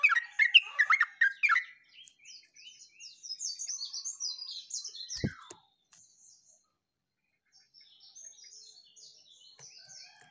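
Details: Chattering yellow-vented bulbul song ("uglak uglik") dated 29/08/24: a dense burst of bubbly, gurgling notes in the first second and a half, followed by thin, high, rapid twittering from smaller birds and a sharp click.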